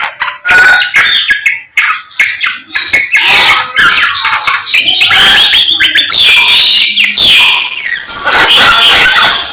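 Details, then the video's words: A samyong bird in lively morning song gives a varied torrent of squeaky whistles, harsh rasping notes and fast chatter, rising in intensity toward the end. "SAMNYONG GACOR Menggemaskan DI PAGI HARI SANGAT MENGGILA MELEGENDA 1001 KICAUAN"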